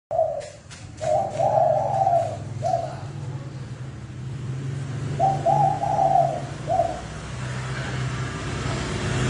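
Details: Spotted dove used as a lure bird for trapping, giving fast, insistent coos: two bursts of low hollow cooing notes, each a quick run of three or four coos, separated by a pause, over steady low engine-like hum.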